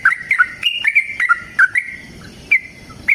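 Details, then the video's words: Yellow-vented bulbul lure song for provoking caged birds to respond: a few sharp liquid notes sliding into a level whistled tone, then short spaced chirps about once a second. "TRUCUKAN GACOR TARUNG ROPEL PANJANG Pancingan trucukan Agar Bunyi Jadikan Burung Trucuk Gacor Nyaut"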